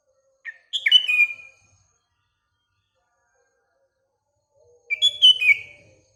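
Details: A sooty-headed bulbul singing at dawn-time morning with other birds nearby: two bubbly whistled phrases some four seconds apart, each opening with a brief note and rolling into falling slurred whistles.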